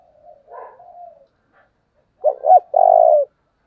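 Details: A decoy spotted dove, used to provoke wild birds, gives a soft, wavering low coo and then one loud phrase: two short stuttered notes followed by a drawn-out mellow coo.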